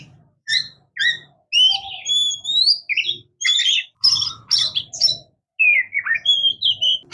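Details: Oriental magpie-robin (murai kampung, kacer) singing: paired sharp chirps, then long fluting whistles and squeaky, scratchy notes in lively, irregular phrases, with a soft low rumble at times.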